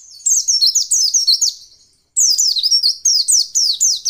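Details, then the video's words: High, rapid white-eye song, described as a female's sound used to stir males into singing: quick downslurred chirping notes in a steady rush, a brief pause, then the same bright twittering resumes. "masteran pleci untuk merangsang bunyi pleci ombyokan"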